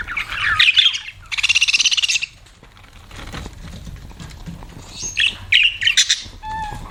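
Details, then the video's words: Pet budgies chattering: a scratchy warble, then a rapid buzzy trill of repeated notes, a quieter stretch, and more squawky chirps with a short whistled tone at the end. "BUDGIES CHIRPING SOUND"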